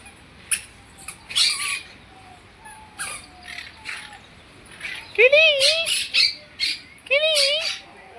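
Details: Parrots at a birds park aviary in Trichy, India, give harsh, grating squawks in short bursts, several clustered near the end, with people's voices calling out to the birds.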